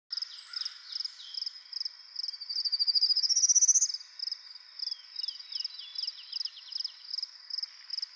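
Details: Male Prairie warbler, rare in Ontario, singing on his territory on a Sunday morning after a storm, advertising for a mate: a rising series of thin buzzy notes climbing steeply, over steady high rapid insect-like pulsing and a lower descending trill.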